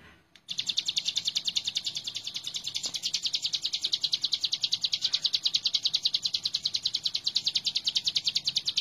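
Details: Hill prinia singing vigorously for a master recording used in bird training: after a brief quiet start, an unbroken run of sharp, high repeated notes at about two and a half per second continues for over eight seconds.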